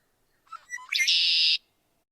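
Red-winged Blackbird song: a few short, clipped introductory notes, then a loud, buzzy, rolling trill held for about half a second.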